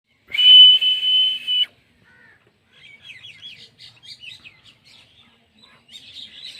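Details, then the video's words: An Indian ringneck parakeet gives one loud, steady, high whistle for over a second, then a run of quick, twisting chattery notes. No other sounds stand out. "Talking parrot sounds natural"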